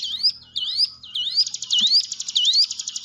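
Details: Hill prinia song played to spur quiet caged birds into singing; rising whistled notes repeated about twice a second, then a fast rattling buzzy trill with whistles laid over it, faint low hum behind.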